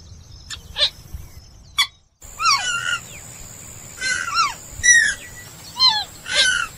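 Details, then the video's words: Purple swamphen, known locally as kalim or buri, giving a run of nasal, harmonic squawks that slide downward and come in quick bursts, after a few short sharp clicks and a brief drop to silence. "কালিম পাখির সেরা ডাক / বুরি পাখির ডাক / Kalim pakir duk /Purple Gallinule bird call"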